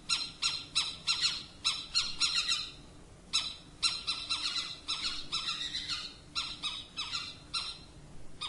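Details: An owl calls with rapid rasping squawks, about twelve in the first three seconds, then a brief pause and further uneven runs of rough, scratchy notes, with low background hiss throughout.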